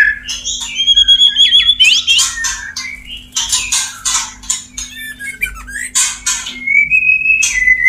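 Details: Male white-rumped shama wooing a female: loud, dense mix of harsh rasping bursts and pure whistles, ending in a long steady whistled note.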